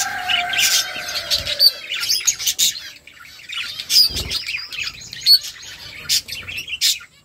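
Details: A budgerigar flock at food gives scattered high chirps, thin whistled notes and warbling chatter, sparser than a full chorus, with a few soft knocks in between.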